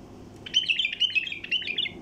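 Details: Wild bulbul call used as a lure to draw in bulbul flocks: a fast, chattering phrase of bright, warbled notes lasting about one and a half seconds, with a faint low background hum.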